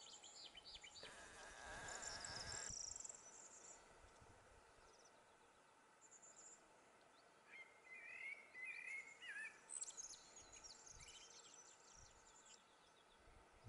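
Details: Common blackbird singing in May 2020 at Juncalillo, Gran Canaria: a faint, warbling mid-pitched phrase followed by thin, high twittering notes, with other distant birds and a soft rural background.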